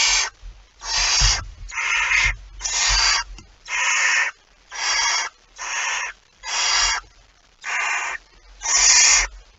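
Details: Barn owl at the nest with a mouse as prey, recorded just after midnight on 23 September 2019; harsh, broadband rasping hisses, each about half a second long, repeated roughly once a second in a steady series of nine, with faint low thumps between.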